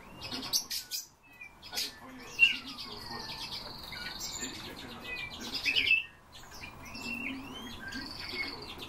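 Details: Eurasian bullfinch calls: soft, short, descending whistled notes scattered through the clip, set among sharper chirps, loud brief high notes and a busy chorus of other small birds.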